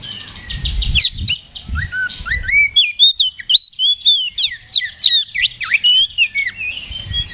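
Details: Oriental magpie-robin singing in a fighting mood to provoke a reply: loud, varied whistled song with rising and falling slurs, sharp chips and buzzy phrases in quick sequence.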